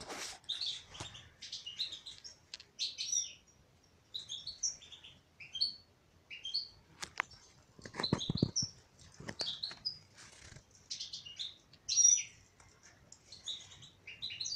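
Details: Female European goldfinch singing: bursts of bright, high twittering notes and quick rising and falling chirps, separated by short pauses, with a few lower clicks and rustles between phrases.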